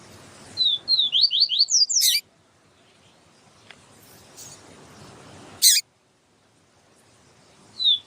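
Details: Yellow-bellied seedeater, siu siu song style, with a female calling to excite the bird. A short burst of fast whistled slurs ends in a rasping chip. Another chip follows later, then a lone thin note.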